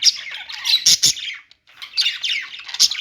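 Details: Budgie chatter: bursts of twittering, squeaky warbles and clicks, with a brief silent break midway before the chirping resumes.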